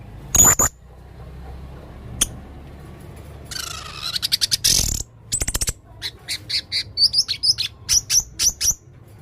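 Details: Male Blue-crowned hanging parrot in full, lively voice: a piercing high double note, a raspy buzzing burst, then a steady series of short, high chipping notes repeated in quick rhythm to the end.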